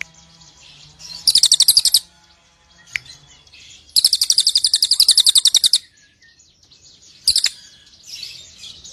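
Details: Cililin bird used as a training lure for fighter-type songbirds; short bursts of rapid, high chattering notes, a brief burst, a longer run of about two seconds, then a short final burst, with faint background noise between.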